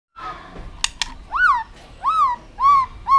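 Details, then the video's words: White-rumped shama performing an aggressive tail-flicking display meant to provoke other birds: a few sharp clicks, then four arched, slurred whistles about half a second apart, each rising and falling, against a faint low background hum. "chòe lửa kéo dây siêu dài,đánh đuôi thái độ kích chim hiệu quả"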